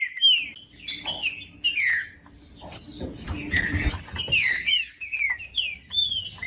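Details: Green-winged saltator song, played to warm up a cold caged bird kept for singing tournaments: clear slurred whistles falling from high to mid pitch, overlapping in a dense run with a faint low hum behind.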